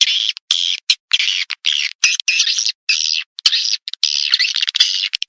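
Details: Swiftlet call played from a tweeter to draw edible-nest swiftlets: harsh buzzy twittering bursts, each under half a second, separated by short clean silences.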